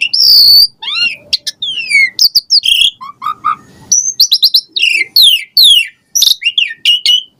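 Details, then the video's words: Asian pied starling in lavish varied song used as a lure for caged birds: a sustained high whistle, falling slurs, low clipped notes, a rising whistle and rapid repeated downslurred phrases. "Jalak Suren Gacor Full Isian Variasi Mewah !!! Pancingan Jalak Suren Ocehan Suara Burung"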